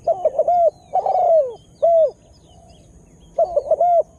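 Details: Spotted dove kept as a lure bird, calling to agitate wild birds and just starting to call eagerly; pairs of short, hollow coos followed by a longer, downward-sliding coo, then a break and another paired phrase, over a quiet background.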